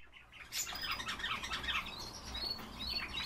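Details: Himalayan bulbul (Pycnonotus leucogenys) giving a rapid stream of bright, chattering chirps that overlap without pause, over a low background rumble.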